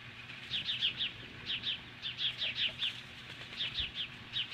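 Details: Osprey facing magpies at a nest near Lolo, Montana, on a July morning in 2015, repeating thin high-pitched chirps in rapid rhythmic runs with barely any gaps.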